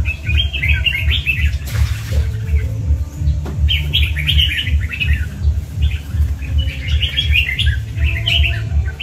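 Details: Red-whiskered bulbul, a kept tiger-type bird, sings repeated bursts of quick, chirpy whistled notes in clusters, interrupted by a brief rustle, over a steady low throbbing beat in the background.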